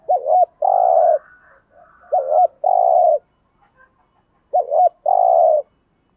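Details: ["Cooing spotted dove in the 'gù thúc' style, used to make wild doves respond. Three phrases of a bouncing double note then a long even coo, about two and a half seconds apart, with soft faint notes in the gaps."]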